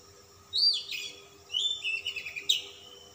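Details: Persistent, display-flaring Oriental magpie-robin of calm type with a rich repertoire delivers a few loud, varied phrases: a bright upslurred whistle, then chattering trills and a sharp closing note, separated by short pauses over a low hum.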